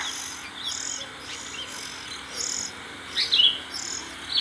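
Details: Oriental magpie-robin young being fed by parents at the nest, giving high, hissy begging bursts about once a second, with a few sharper chirps near the end over a steady faint hiss.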